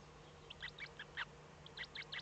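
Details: Eurasian eagle-owl nest, Eifel, Germany, 05:36 on 8 April 2014, first chick newly hatched; a run of faint, sharp, high cheeping notes, some doubled, against a low electrical hum.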